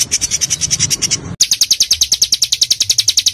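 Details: Small songbird giving dense training song full of bursts: rapid high chirped notes about three per second, briefly interrupted by a click, then resuming even faster and sharper, with faint low murmur underneath.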